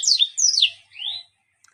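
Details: Mozambique bird, or yellow-fronted canary, with a song filled with strange sounds: two high descending whistled slurs followed by a softer rising whistle, then quiet.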